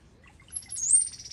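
A brown-headed cowbird gives a few soft, liquid gurgling notes, then a very high, thin, sliding whistle that drops slightly and fades. Faint low background rumble.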